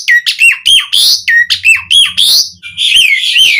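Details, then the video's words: Asian pied starling in full, lively song meant to call other starlings: loud bursts of whistled notes with sharp down-slurs, interleaved with harsh buzzy rasps, delivered in quick irregular phrases. "Suara Jalak Suren Gacor Memanggil Burung Jalak"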